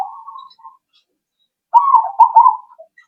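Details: Zebra dove coo used as a lure to draw answers: a faint steady coo, a pause, then a loud rolling, trilled phrase ending in a short low note.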